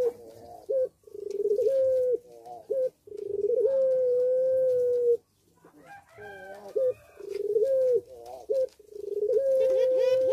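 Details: Repeated cooing from a caged puter pelung dove in breeding condition at a breeding aviary. Short choppy notes run into long steady drawn-out coos, several phrases in a row, with faint background chatter.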